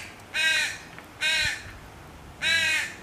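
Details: Fledgling crow calling to its mother for food with three harsh, nasal caws, evenly spaced under a second apart, against soft background noise.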